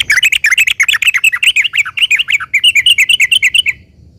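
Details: Sooty-headed bulbul song intended to make other bulbuls reply: dense, fast chirping and twittering notes, bright and warbling, pouring out continuously for nearly four seconds before stopping.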